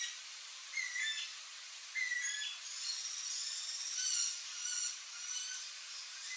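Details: Yellow-headed caracara with two short screechy calls at the start, then a longer run of thin, high, overlapping squealing notes that waver and fade.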